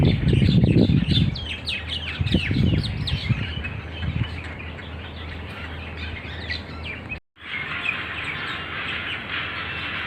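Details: Wild starlings in an Oman date plantation giving a dense chatter of quick chirps and squeaks, with low thumping noise early on and a brief cut partway through.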